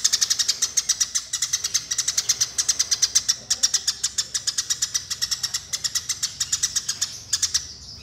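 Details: Continuous, very fast chattering chirps from Eurasian tree sparrows locked in a fight, high and harsh, barely pausing over eight seconds. A recording used to train other birds.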